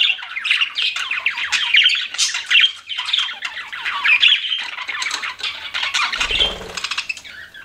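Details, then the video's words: Pet budgies keep up a busy run of scratchy warbles and quick chirps, with a brief low thump near the end. "CUTE PET BUDGIES CHIRPING"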